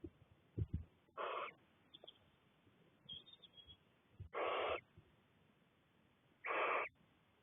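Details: Six Cornish Barn Owl chicks together in a nest box while their mother is away give three harsh, breathy hisses, each about half a second long and a few seconds apart, with a couple of low thumps early on.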